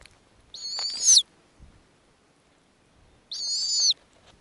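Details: Nesting snowy owl with young owlets being fed by the female. Two rasping, high squealing calls about three seconds apart, each roughly half a second long and flat in pitch, with faint thumps between them.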